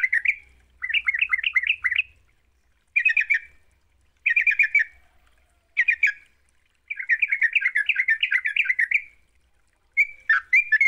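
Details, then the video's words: Energetic sooty-headed bulbul song used as a singing lure: brief bursts of rapid bubbly notes, then a longer chattering run, with a faint low hum at the start. "Pancingan trucuk GACOR, sekali dengar trucukanmu gak bisa diam."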